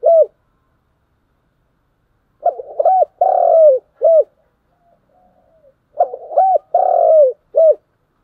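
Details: Spotted dove calling in the morning, giving repeated phrases of soft stuttered coos, two arched coos, a long drawn-out falling coo and a closing short coo, with quiet gaps between phrases and faint background twittering.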